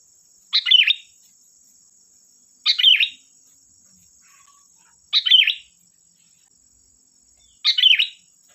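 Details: Sooty-headed bulbul lure song to prompt other bulbuls to sing: four brief bubbly phrases, evenly spaced about every two and a half seconds, each a short warbled cluster, over a thin continuous high-pitched hum.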